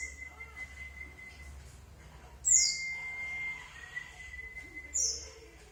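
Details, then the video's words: Lure recording of a white-eye to make it respond: brief, very high trilled bursts at wide intervals, with a long, even, flat whistle running through and soft low hum behind. "pancingan pleci biar nyaut"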